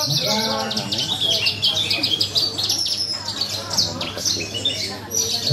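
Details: Horsfield's bush lark singing at a songbird contest: dense, rapid high chirps and buzzy trills pour out continuously, overlapping with other contest birds and low murmuring chatter from the crowd.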